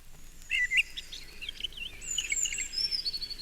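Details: Mistle thrush at close range in a town park, giving subsong, a quieter version of its full territorial song: soft scratchy warbled phrases and thin high sliding notes over a steady background hiss.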